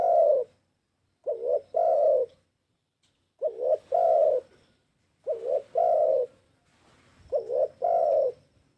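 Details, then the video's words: Spotted dove used to lure others, cooing vigorously: five low, soft phrases, each two clipped notes and a longer rounded coo, repeated roughly every two seconds with faint background hiss. "PANCINGAN BURUNG TEKUKUR TERBAIK...!! GACOR TELLERR..!!"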